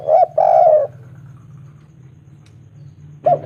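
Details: Local spotted dove calling a female with a clear voice: a short coo and a drawn-out rolling note, then a low steady hum before a final coo begins.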